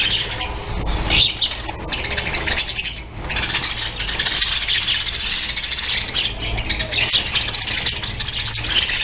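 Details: Many budgerigars in a breeding colony chattering together: a steady wash of shrill, buzzy chirps and squawks, with short louder bursts rising and fading over the clip.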